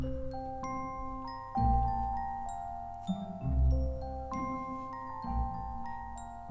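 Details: Bright mallet-percussion music like a glockenspiel or marimba plays ringing sustained notes in a slow melody, with deeper tones underneath and no animal voices audible.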